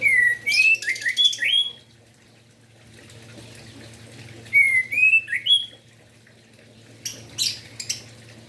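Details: Orange-headed thrush singing vigorously in the morning, used to stir other orange-headed thrushes to sing: two bursts of clear whistled phrases with rising and falling slurs, a pause between, then faint high notes, over a steady low hum.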